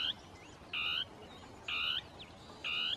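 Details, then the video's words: Rasping, croak-like notes of a Northern tapaculo's territorial song, sung among shrubs with two birds interacting. Three even notes almost a second apart, and a soft high chirp in the gaps. "CHURRIN DEL NORTE (Scytalopus fuscus) CANTANDO"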